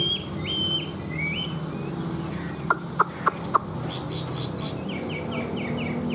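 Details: Tame caged Chinese hwamei giving short flat whistled notes in quick bursts at the start and end. Four sharp clicks fall in the middle, over a constant low background rumble.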